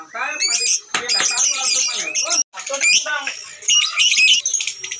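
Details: Lovebird giving its ngekek, a long chattering trill, and singing actively (gacor). Harsh, rasping squawks and buzzy chatter come in bursts broken by short pauses, with very high chirps near the end.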